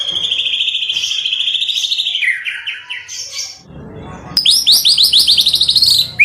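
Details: Competition-training song material for white-rumped shama, said to include cililin, kapas tembak and canary variations: a long sustained whistle, a lower rattling phrase, a brief muffled noisy gap, then fast repeated rising whistled notes.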